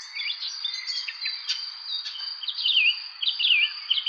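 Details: A busy run of a bird's chirps: rapid, irregular high twitters and short slurred notes, thickening in the second half, with a steady piercing insect-like whine running underneath throughout.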